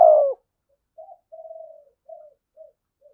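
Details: Spotted dove with a 'giọng thổ sấm' voice: the tail of a loud coo, then a soft descending string of short and drawn-out notes that shorten and fade away.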